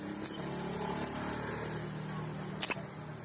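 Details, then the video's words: High, thin chirps from a male sogon, a nectar-feeding sunbird used as a training lure for other birds, three short notes in three seconds over a steady low hum. "Suara Sogon jantan asli"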